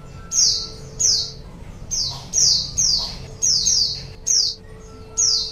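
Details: Lure recording of a white-eye for attracting wild birds: sharp, high descending chirps, some doubled, about nine in under six seconds, with a soft background hum.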